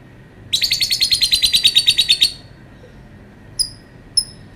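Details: Lovebird delivering a fast, shrill rattling trill of about two seconds, followed after a pause by two isolated sharp chirps.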